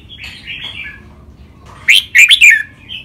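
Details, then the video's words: Song of the red-whiskered bulbul, trained styles such as rik, lakwai and counted notes; quiet gurgling warble opens, then a loud burst of sharp, fluty, rapidly rising and falling whistles. "นกกรงหัวจุก เสียงร้องเล่นริกเบิ้ล ลากหวาย แม่บท นับดอก ครบเครื่อง"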